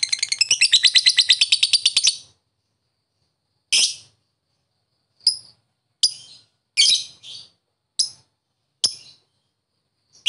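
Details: Lovebird in ngetik ngekek style, played to get silent lovebirds calling back: a two-second burst of rapid shrill chattering pulses, then silence broken by about seven short sharp chirps.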